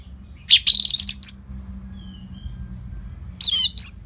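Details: Orange-headed thrush singing as a training tune for other caged birds: a rapid cluster of high scratchy notes, a pause with a faint thin whistle, then another quick burst of sharp notes.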